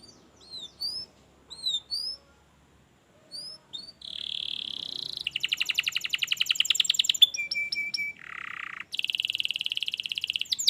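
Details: Canary singing, used to get idle canaries singing: a few sparse high slurred notes, then a long buzzy roll, a fast dense rattle, a short flat whistle and another rapid trill.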